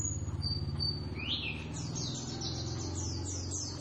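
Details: Javan Oriental white-eye duet in the ngeriwik style: a few thin whistles and a rising slur, then a quick run of high descending chirps, with a persistent low hum and faint murmuring behind.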